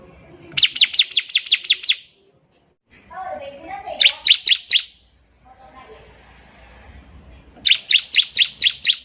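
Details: Bar-winged prinia singing vigorously, a recording for young birds learning their song. Three bursts of six to eight rapid, piercing, down-slurred notes are separated by pauses with faint low chatter.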